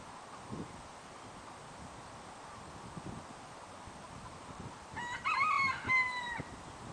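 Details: Rooster from a semi-feral flock of chickens, chicks and roosters roaming freely around a private lot and parking lot in Aiea, crowing once near the end: a harsh, stepped cock-a-doodle-doo lasting about a second and a half, over steady rustling background noise.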